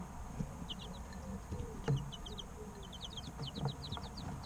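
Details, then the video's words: Young chicks, three weeks old, giving bright, high peeps that fall in pitch, scattered at first and then running together in a quick series, with faint knocks in the background. "Chicks Chirping Sounds 2 - Baby Chicken Sounds"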